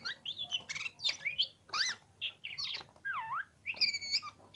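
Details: Kacer, the oriental magpie-robin, in lively song, with loud rising and falling whistles, a clear descending-then-rising slur, and scratchy chirps packed closely together over faint background hum.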